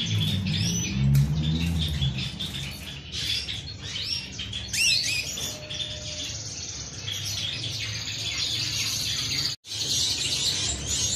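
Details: Canary singing a long, continuous run of high, buzzy trills and chattering phrases, with a sweeping note near the middle and low background noise throughout.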